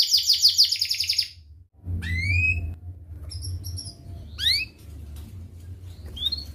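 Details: Canary heard on a lure recording for teaching juveniles: a dense high trill for just over a second, a brief pause, then scattered upslurred whistles and short chirps over a low background hum.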